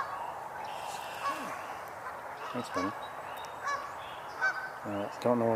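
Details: Geese on 7 May 2022 give loud, nasal honks, singly and in short bursts of two or three, while a man talks quietly in the background.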